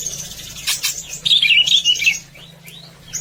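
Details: Greater green leafbird singing in gacor style, a training song to make birds sing; a shrill burst followed by a rapid twittering chatter of sliding notes, then a few soft rising whistles, over a low steady hum.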